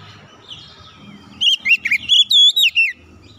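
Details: Oriental magpie-robin song meant to make a silent bird sing again: after quiet background chirps, a sudden loud phrase of about eight clear, ringing whistles, some long and bending, lasting around a second and a half.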